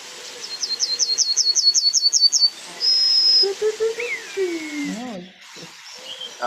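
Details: Yellowhammer singing at Torryburn, Fife, Scotland, on farmland: about ten quick, high, dry notes, then one long sustained note, the 'little bit of bread and no cheese' pattern. A man's voice follows.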